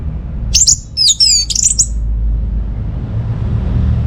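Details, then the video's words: Orange-headed thrush, played to encourage birds at home that are not singing: a brief burst of very high slurred whistles and quick twittering notes lasting just over a second, then only low background noise. "Gak Sabar ANIS MERAH Mau Nyaut Gacor"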